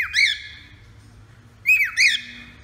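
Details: Male cockatiel singing a lot; clear whistled notes, each rising then falling in an arch, one at the start then two close together after a pause, in a quiet room.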